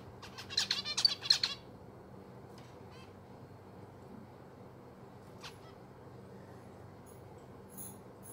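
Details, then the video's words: A playful zebra finch gives a quick burst of harsh, nasal, toy-trumpet-like calls, followed by a few scattered softer chirps over a faint indoor hum. "Playful zebra finche"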